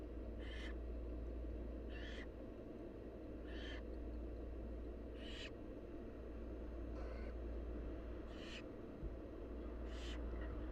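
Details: Wild barn owl nestlings being fed by their mother give harsh, hissing begging rasps, seven broadband bursts spaced roughly every one and a half seconds, over a steady low rumble of background noise.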